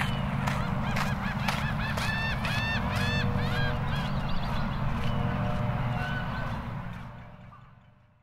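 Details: A friendly pair of Laughing Gulls laughs with each other on a sunny Friday at Hermann Park, Houston, Texas, USA: rapid nasal, arched notes repeated about four per second, loudest early, fading away after six seconds over steady low rumbling background noise.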